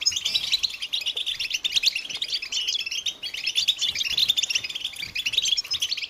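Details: Group of European goldfinches in continuous chattering song, used to stimulate males into singing; an unbroken wash of bright, rapid, high twittering notes and trills from many birds overlapping throughout.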